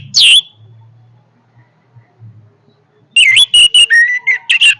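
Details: Orange-headed thrush in powerful song: a single high whistled note opens, then after a quiet pause a dense burst of varied whistled and buzzy phrases around mid pitch, with fast slurred notes rising and falling, filling the last two seconds.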